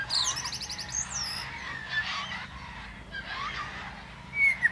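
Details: Singing common blackbird, male, on top of a plum tree: a quick high twittering burst opens, then soft hazy warbled notes and a short bright whistle at the end, quiet background.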